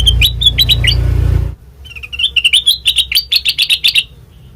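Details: Sooty-headed bulbul song used as a lure: chirps over a loud low rumble that stops suddenly, followed by a clear, rapid warbling phrase of rising and falling notes.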